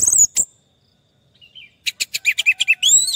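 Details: Orange-headed thrush song used as therapy for a stressed bird that has stopped singing: a quiet opening with a few scattered high notes, then a quick burst of clipped chirps and rising whistled slurs.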